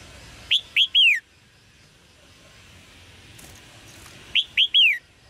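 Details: Chirping of a red-whiskered bulbul, meant to encourage male singing. Two matching phrases of three clear notes, each rising sharply and sliding down, about four seconds apart over a quiet background.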